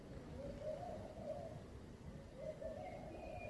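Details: Morning cooing of a laughing dove, soft and low, with two gentle bubbling phrases of several rolling coos each, half buried in steady background hiss and rumble.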